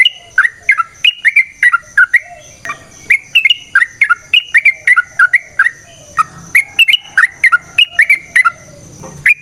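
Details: Yellow-vented bulbul (trucukan) song for provoking a fighting response: continuous chattering of bright, bubbling whistled notes in pairs and triplets, rising then falling, steadily repeated throughout.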